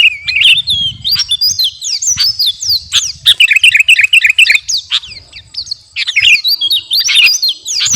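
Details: Garuda kutilang, a sooty-headed bulbul, in lively training song for caged birds: fast bubbling chirps and upward-slurred whistles tumbling together, about four notes per second, broken by brief pauses near three and six seconds.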